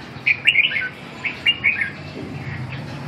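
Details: Red-whiskered bulbul during training: a short run of sharp, bright whistled chirps and warbles, three to four quick notes grouped together, then a fading quieter note, over a low steady hum.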